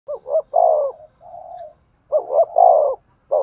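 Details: Spotted dove cooing to stimulate a male: two phrases, each a quick stuttered double note followed by a long, full, low coo, with a softer flat coo between them. The background is quiet.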